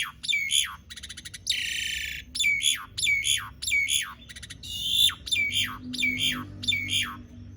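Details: Asian pied starling in full, long rolling song, used as a lure to get silent starlings singing: a steady series of sharp descending whistled notes, broken by a dry rattling burst and a harsh buzzy squawk.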